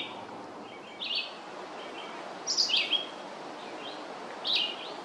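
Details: Red-eyed vireo in a long song, three brief whistled phrases in quick succession, the middle one the loudest, each a short slurred burst separated by about a second and a half, with steady hiss behind.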